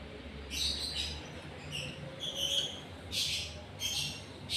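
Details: Lovebird in breeding condition, described as gara, delivering repeated harsh, high squeaky bursts at uneven intervals, some buzzy and some whistled, with a faint low hum underneath.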